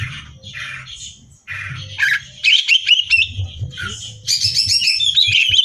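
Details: Greater green leafbird singing loud, varied competition song as training material: soft opening notes, then sharp whistles and chatter building into a dense, buzzy high rattle.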